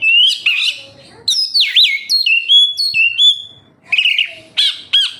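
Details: Oriental magpie-robin (kacer), used as a lure to make captive birds sing: loud whistled notes with sweeping, swooping phrases and sharp upward chips, separated by short pauses.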